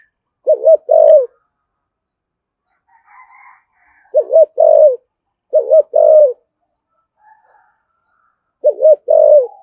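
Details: Spotted dove giving 'thổ sấm' style coos, urging and calling: four low phrases, each a short wobbling double note followed by a sustained falling coo. Faint higher chirps from another bird sound between phrases.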